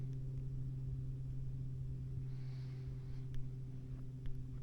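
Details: A steady low engine drone with layered humming tones throughout, a soft hiss rising midway and a couple of faint clicks, with no animal voices.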